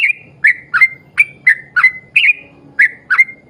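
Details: A yellow-vented bulbul delivers brisk 'ropel panjang' song as a lure for other bulbuls. Liquid, slurred whistles follow in close succession, with a brief pause near the end and a faint low hum behind.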